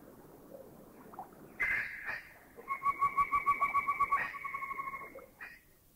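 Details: A Rufous Woodpecker (Micropternus brachyurus), recorded in a Thai national park, gives a harsh opening note, then a fast, even run of about fifteen nasal, mid-pitched notes that trail off, over faint background hiss.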